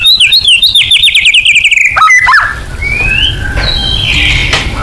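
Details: Murai batu, or white-rumped shama, delivering 'full nembak' lure song: a rapid, rhythmic rattle of repeated whistled notes for about two seconds, ending in a slurred drop, then fading to soft background noise.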